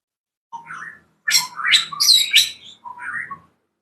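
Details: Captive orange-spotted bulbuls (cucak kopi, a highland scrub species) in a home aviary in the morning give bright, squeaky, high, scratchy chattering notes in three quick bursts, as the birds ask for food.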